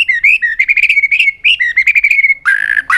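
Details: White-rumped shama singing an extra-long continuous song while flicking its tail, used to stimulate other birds: rapid chain of bright whistled notes around one pitch, ending in a harsh buzzy burst.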